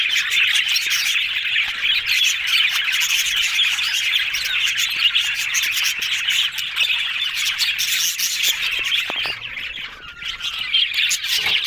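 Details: Yellow budgies making happy talking sounds: many birds warble and chirp in a dense, restless chorus, with a slightly quieter stretch near the end.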